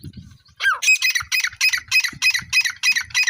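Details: Iranian tetar, a francolin, opens with a short upward slurred note, then delivers a fast run of loud, harsh, rasping notes repeated about three times per second without pause until the end.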